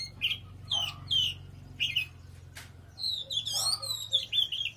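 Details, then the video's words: Oriental magpie-robin in powerful song: short whistled phrases with pauses between them, a sharp click midway, then a longer warbling run, over a low steady hum. "Choè than hót cực khủng"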